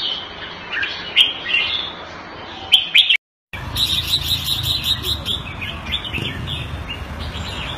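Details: Red-whiskered bulbul caged in Singapore, kept Thai style, sings bright whistled phrases before a brief cut. A noisier stretch with busy background sound and fainter repeated chirps follows.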